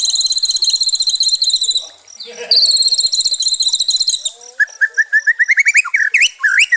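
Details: Song of a White-rumped shama, played to help stressed shamas regain their fighting spirit: extended high rapid trills separated by a soft low pause, then a quickening series of short rising whistles.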